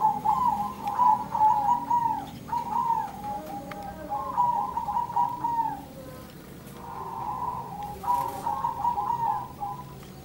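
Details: Zebra doves calling back and forth in repeated phrases of quick, stuttering coo notes, each phrase lasting about a second, with a pause near the middle before the bursts resume.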